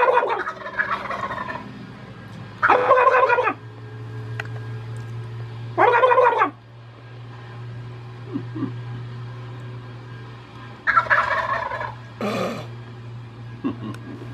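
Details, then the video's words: Wild turkey gobbling in loud, rapid rattling bursts, four or five times over several seconds, with a steady low hum beneath. "Wild Turkey Gobbling"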